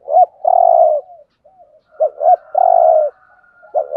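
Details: Spotted dove giving 'thúc gù' cooing in the 'giọng Thổ' voice style, used as a decoy for bird trapping: two short hoarse notes, then a long low steady coo, then another double note and drawn-out coo.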